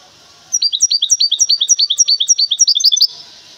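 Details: Goldfinch hybrid in a cage, Temara, Morocco, delivering a crisp phrase of evenly repeated, downward-sweeping chirps, roughly three per second, ending in slightly faster twitters.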